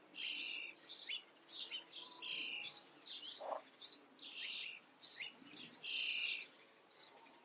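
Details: Common starling young being fed in a garden, uttering a rapid series of short harsh chirps and rasps, roughly two per second, with occasional longer grating notes.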